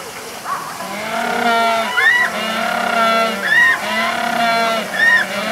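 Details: A Humboldt penguin at Minamichita Beach Land in Japan gives loud, hoarse, donkey-like braying calls, repeated in a steady series.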